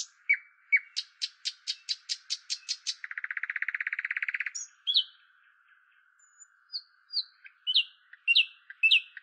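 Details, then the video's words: Indian nightingale singing: a row of sharp, rapid ticking notes, then a fast buzzy trill, then varied high whistled phrases, over a steady faint background hum. "Indian nightingale sound effect"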